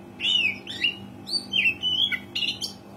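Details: Oriental magpie-robin singing loudly, a wild-type song used as a lure to set off caged birds that rarely sing: clear, varied whistled phrases, some slurred up and down, in short bursts with brief gaps, over a steady low hum.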